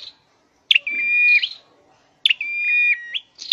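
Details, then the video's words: Caged scarlet-headed flowerpecker in song training: two phrases about a second and a half apart, each a sharp high note dropping into a long, level, bright whistle that steps down near its end, with silence between. "Deep red-headed birds(Dicaeum Trochileum): Birds thoroughbred training for singing chirped"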